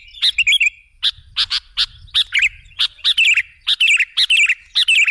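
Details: Lure recording of a sooty-headed bulbul: sharp, clipped chirps and short warbled notes in groups of two to four, repeated steadily, with light low background rumble.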